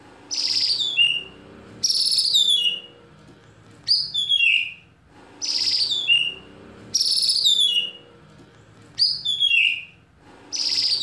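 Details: White-rumped shama singing as a lure for other shamas: short, loud, descending whistled phrases with sharp high onsets, repeated roughly every two seconds with quiet gaps between.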